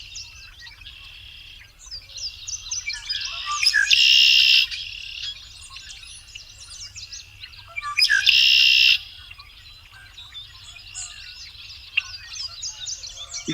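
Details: A busy chorus of Red-winged Blackbirds chattering and whistling, with two loud, harsh conk-la-ree trills from a male about four seconds apart, geese audible in the background, over a low rumble.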